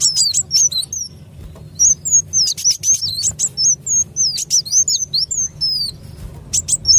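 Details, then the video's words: Sunbird lure call used by trappers to attract birds: rapid high, thin, twisting chirps and sweeping whistles in bursts, some sharp ticking notes, with a low steady hum underneath. "SUARA PIKAT BURUNG KOLIBRI WULUNG"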